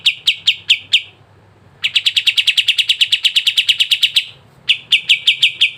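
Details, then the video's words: Sooty-headed bulbul song meant to get reluctant caged birds singing: bursts of rapid, sharply repeated notes, first a short run, then a longer even trill, then another quick series after a brief gap. "PANCINGAN BURUNG KAPAS TEMBAK MALAS BUNYI CEPAT IKUT GACOR"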